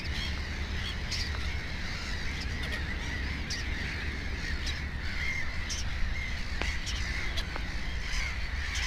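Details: Black-headed gull at its nest with two chicks: harsh, grating calls repeated in quick succession, overlapping with more distant calling gulls over a low, steady rumble.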